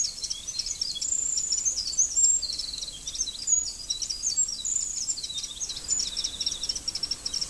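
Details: High-pitched wren song runs almost continuously: energetic trills, sliding squeaks and fast chattering phrases, with short pauses, over faint steady noise.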